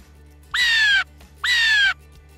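A Blue Jay gives two harsh, nasal "jay" screams, each about half a second long and a second apart, over a faint low hum.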